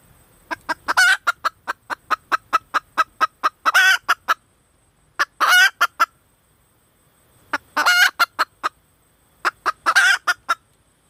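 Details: Female red junglefowl calling repeatedly: rapid strings of sharp clucks, each leading into a longer harsh, scratchy note, in about five bouts with brief silences between.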